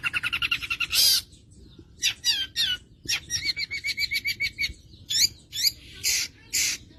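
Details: Long-tailed shrike giving a full mimicry-filled song of borrowed phrases: a rapid run of harmonic notes, a harsh buzzy burst, then varied whistled and chattering phrases alternating with loud raspy bursts.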